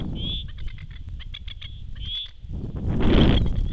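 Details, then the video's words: Masked lapwings at a dam's shore call their chicks to swim over from the island. Two ringing, slurred notes frame a quick run of clipped rattling notes, then a final chatter as a loud gust of wind rises. "Masked Lapwings calling chicks"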